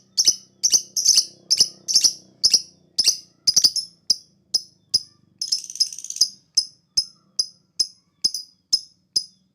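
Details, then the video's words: Lovebird lure recording for making other birds reply: a steady string of sharp, high ticks with doubled notes early on, interrupted by a short buzzy rattle near the middle, then resuming evenly. "Pancingan Lovebird Ampuh NGETIK PANJANG NGEKEK Semua Burung akan Emosi Nyaut"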